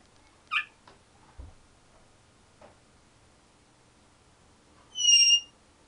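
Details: A 10-year-old pet African grey parrot indoors, making sound effects: a short sharp chirp near the start, faint clicks, then a loud banded whistled squeal near the end, with a person speaking nearby.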